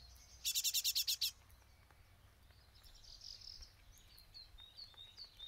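A young great tit gives a quick burst of about seven harsh, buzzy high notes, then fainter thin chirps follow over a quiet background.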